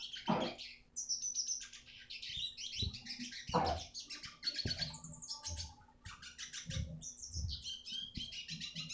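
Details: Eurasian siskin song played to train other songbirds, a rapid chattering mix of high twitters, thin whistles and buzzy rattles broken by short pauses, with low thumps and a steady hum behind.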